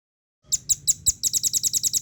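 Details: Velvet-fronted nuthatch from an Indonesian cage-bird training recording. After silence, four spaced high chips speed up into a quick, even series of sharp notes near eight per second.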